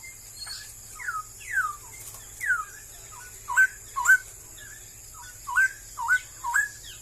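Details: Song of a straw-headed bulbul, described as increasingly scarce in Malaysia: spaced, clear, slurred whistles that swoop up and down, given in short bursts roughly every half second to second, with quiet gaps and steady high-pitched background hiss.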